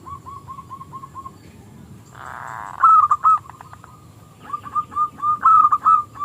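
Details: Local zebra dove singing in a small, clear voice to lure rivals into singing. A soft trilled run, a short burst of noise, then louder clipped coos and a closing rolling phrase.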